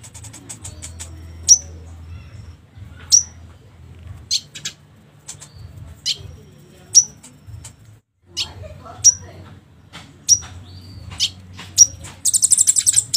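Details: Cucak konin song used to lure a silent konin into answering: sharp high whistled notes with a downward flick, repeated every one to two seconds, mixed with short chirps and a buzzy trill near the end over a low hum.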